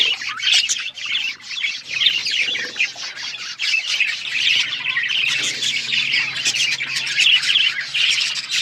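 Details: Budgies chirping in a constant flock chorus of bright, grating warbles and quick squeaks, with a faint low hum underneath.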